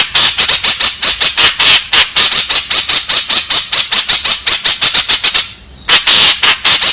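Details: Lure call of the white-breasted woodswallow, meant to attract companions: a long run of grating, squawky bursts in quick succession, with one short gap near the end before the rapid harsh notes resume.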